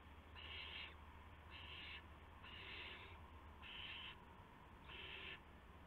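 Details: Owls at a nest just after midnight on 19 March 2016, with prey delivered to two owlets; five evenly spaced, raspy hiss-screeches, each under a second long, about one per second, over a steady background hum.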